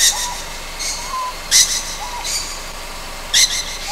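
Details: On Amami Ōshima at night, a young Ryukyu scops owl gives breathy, rasping hisses, with soft, thin whistles between them.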